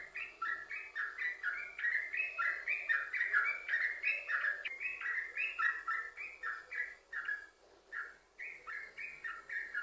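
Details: Prolific yellow-vented bulbul in 'sambung ropel' song used as a lure for other bulbuls; fast bubbly phrases run for about seven seconds, a short break, then resume.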